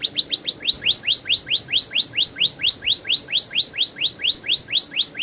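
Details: Canary singing a steady tour of clear, downward-sweeping whistled notes, about two to three per second, evenly spaced and unbroken throughout.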